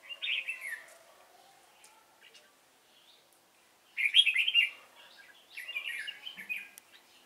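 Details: Cánh ruồi red-whiskered bulbul used as a decoy in trapping, recorded 3 March 2017, delivering three lively warbling phrases of rapid fluty notes, the later two louder, with quiet stretches between.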